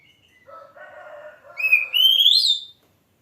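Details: Oriental magpie-robin song, opening with a lower harsh buzzy sound before a bright whistle that climbs steadily higher and ends abruptly.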